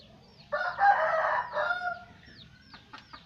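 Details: Lure call of an Aceh red junglefowl: a single harsh, rasping crow phrase of about a second and a half, at moderate loudness. Small bird chirps and a faint low hum sound around it.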